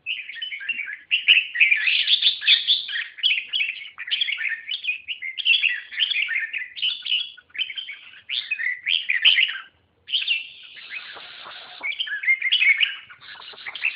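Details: Red-whiskered bulbul singing a long, sustained stream of loud, bubbling, whistled phrases, pausing briefly near the end before resuming the rich chattering song.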